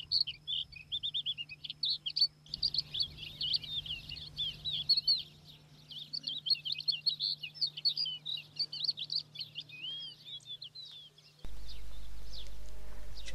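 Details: On Spanish plateaus between Aragon and Extremadura, a Thekla's Lark, similar to the Crested Lark and identified by its song, sings a long, rich warbling song of quick high twitters, trills and slurred whistles, with a low hum and a burst of noise at the end.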